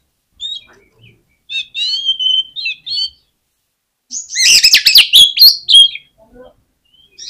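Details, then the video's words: Lure song of an oriental magpie-robin, meant to provoke rival magpie-robins into singing: sweet, slurred whistles at first, then a dense, loud rush of scratchy, buzzy notes mixed with clear whistles, a short note trailing at the end. "PANCINGAN KACER INI BIKIN GACOR MAKSIMAL || KACER LAIN PUN PASTI BAKALAN KONSLET"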